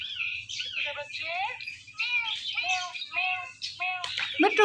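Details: Indian ringneck parakeet talking, a run of short nasal speech-like syllables with bent, wavering pitch, about six in a row, ending in a harsh rasp; quiet background.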